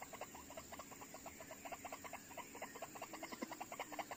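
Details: White-breasted waterhen drawn in by playback for trapping, with two birds coming within seconds; steady, faint, clucking notes repeated about two and a half times a second against a hissy background.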